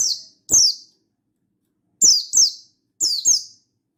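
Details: Mountain white-eye singing in forest style, used to call a rival and prompt other white-eyes to sing; recorded 16 August 2022. High thin descending notes, mostly in quick pairs, with clicky low thumps under each note and pauses of about a second between bursts.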